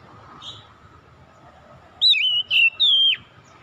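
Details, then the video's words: Oriental magpie-robin in the morning giving one phrase of three loud whistles, a wavering note, a short one, then a long falling slide, after a quiet start with low hum. "KICAUAN KACER INDAH DI PAGI HARI"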